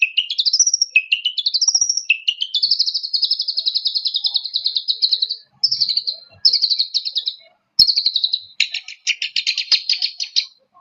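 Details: High chattering song of a long-tailed shrike meant to provoke: upslurred trilled phrases repeated, then level fast buzzes in short bursts separated by brief pauses.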